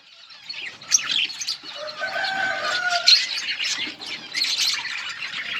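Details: Budgerigars in a colony chirping while eating: a dense, continuous chatter of high, scratchy chirps and warbles, with a couple of steadier mid-pitched whistled notes near the middle and possible wing flutters.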